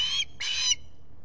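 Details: Osprey at the Salt Point nest, US Finger Lakes, July 23, 2021, morning, on a solar nest camera: two harsh, raspy squawks, the second longer and fuller, then quiet.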